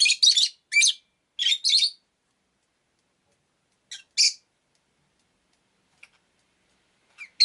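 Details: Pet rosy-faced lovebird with a rapid run of rasping chirps in clusters, then a brief double chirp after a pause, followed by faint ticks and a last soft note in near silence.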